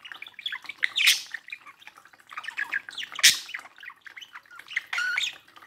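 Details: Pet budgerigars, a male and a female, at a mirror, chattering in a dense warbled stream of squeaks and clicks with sharp louder chirps near one and three seconds.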